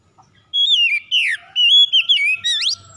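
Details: Oriental magpie-robin singing in a lure recording meant to restore singing in reluctant birds: a clean sliding whistle, a falling slur, level whistled notes, then a fast rising sweep to finish.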